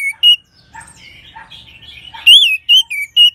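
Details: Soft mimicking warble from an orange-headed thrush, used as a training sound to get other birds singing, breaks into a series of loud rising-and-falling whistles and short clear notes.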